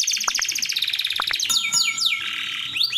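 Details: Energetic song of an AF canary meant to draw in a female: rapid high twittering rolls, then a slurred descending glide and a fast run of repeated notes.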